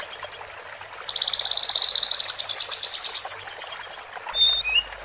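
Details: Male and female Horsfield's bush lark song, played to help newly separated caged birds adapt: a short high rattle, a pause, then a long even trill of rapid notes, ending with two thin whistles.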